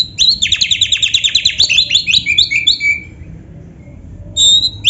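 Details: Oriental magpie-robin singing gacor full isian: a rapid, steady burst of about twenty repeated high chipping notes lasting nearly three seconds, then quiet, then a single clear whistle.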